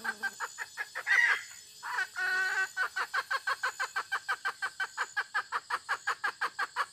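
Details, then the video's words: Hen clucking in a fast, regular run of short notes, with a longer, harsher squawk early on and faint background hiss. "suab poj qaib tsauj seev dib tuaj zoo tshaj 2021"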